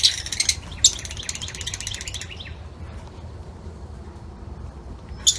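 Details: Lutino Fischer's lovebirds in an outdoor aviary give a dense burst of shrill, high chattering squeaks for about two seconds, then fall quiet before one last sharp note, over a low outdoor rumble.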